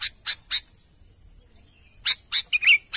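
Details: Sooty-headed bulbul calling out to its companions. Three harsh chips, then a pause of about a second and a half, then a quick burst of chips ending in a short, liquid, wavering note.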